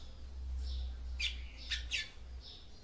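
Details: Female double-collared seedeater singing to stimulate the male: a few short, harsh, high chirps near the middle, faint over a steady low hum.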